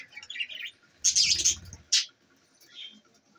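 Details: Pet budgies from Larkana, Sindh giving two loud bursts of scratchy, high chirping, the first over a low fluttering thump, then soft faint twittering.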